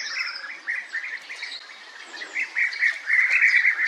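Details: European bee-eaters, colonial nesters in ground burrows, uttering trilled, purring calls repeated rapidly in bunched series, growing louder and denser toward the end; a thin high whistle at the start.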